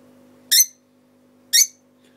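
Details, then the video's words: A lovebird gives two shrill, harsh chirps, one second apart, over a low steady indoor hum. "The love bird song"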